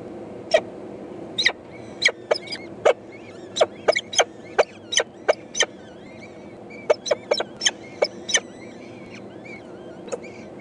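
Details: Hungry peregrine falcon eyases, four chicks, begging from their mother, 14 May 2012: a busy, steady series of short harsh chips, several per second in places, with faint high whistles and a constant soft hiss.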